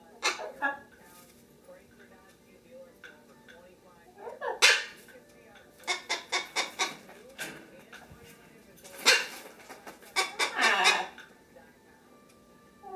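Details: Household Lesser Sulphur-crested Cockatoo, 23 September 2010, making bursts of short, sharp squawks, some in rapid runs of four or five, spread over several seconds, while a macaw talks in the background of the room.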